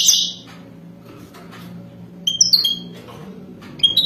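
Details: European goldfinch, wild-caught type, mating song: an opening high burst, a pause, then a few sliding whistled notes and sharp high chips.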